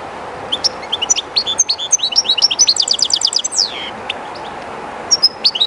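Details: A European goldfinch kept by its owner sings very close to the Jerte River's flow. Its lively, high-pitched twittering builds into a rapid rattling trill and ends with a descending slurred note, then a few isolated chirps above rushing water.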